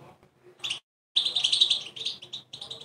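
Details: Caged European goldfinch (Carduelis carduelis) that had been sleeping under a cover gives a brief burst of bright, tinkling song, a short opening phrase then a quick run of high, liquid chirps.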